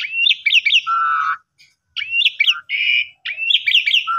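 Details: Asian pied starling lure song in pumping style for birds that have stopped singing: a rising whistle, three looping notes and a drawn-out low buzzy tone, repeated after brief gaps.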